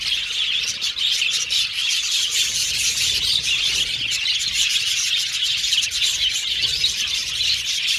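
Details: Many budgerigars chirping together: steady, thick high twittering with quick repeated chirps and warbled notes, unbroken from start to finish.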